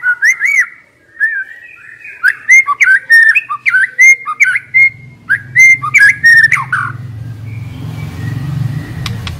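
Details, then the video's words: White-rumped shama decoy bird singing a lively series of looping, slurred whistles and chips, repeated about three per second, fading into low rumbling background noise. "Chòe lửa mồi hót cực hay"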